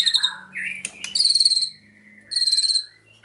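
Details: White-rumped shama song fragment: a few slurred whistles, then two short bursts of rapid high trilled notes in cililin style, with a quiet low hum in the background.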